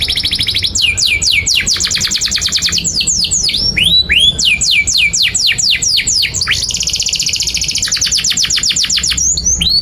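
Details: Canary in continuous, lively song meant to teach young birds: high, fast rattling trills alternate with rows of sharp downward-swept notes and hooked chirps, with no pause for the whole passage.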